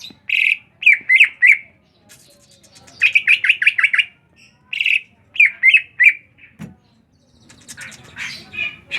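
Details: Ngriwik bird delivering bursts of sharp squeaky chirps in groups of three to six, separated by short silences, with a soft rustling noise near the end.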